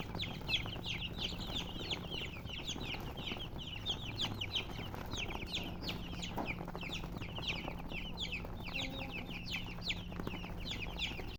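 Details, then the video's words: A brood of baby chickens calling nonstop: many thin, high, descending peeps crowd together in a busy, continuous chorus, with a low electrical hum running throughout. "Witty MURGI Baby "Chicks Chirping" Sound"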